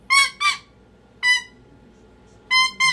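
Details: Pet cockatoo meltdown: a harsh double scream, a lone screech after a gap, then another tight pair of shrill, grating squawks.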